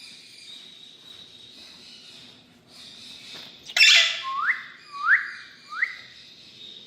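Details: Indian rose-ringed parakeet, a ringneck kept as a pet, giving three loud rising whistled calls that sweep upward, each about half a second apart, after a harsh burst of noise; faint background hum and distant chatter.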